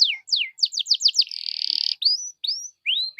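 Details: Bright canary song meant to prompt other canaries to sing: a run of quick downslurred notes, a buzzing roll lasting about half a second, then three drawn-out rising whistles.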